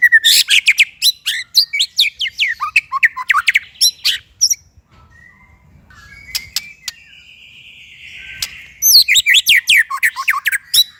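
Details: White-rumped shama singing as a masteran tutoring recording for raw and non-singing shamas: dense bursts of bright chirps and slurred whistles, a quieter middle with one long trilled note, then another rapid burst.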